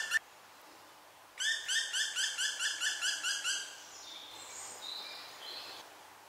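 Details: A young black woodpecker, its siblings already fledged, is still afraid to leave the nest and no longer fed by its mother. It cries for food with about nine harsh, buzzy begging notes, four per second, then fainter, thinner calls.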